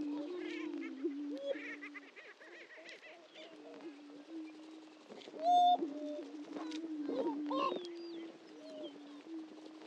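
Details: Greater prairie-chickens displaying at a historic lek on Dunn Ranch Prairie in Hatfield, Missouri: low steady hooting moans overlap continuously, with cackles, whoops and a brief sharp high whistle mixed in from several birds.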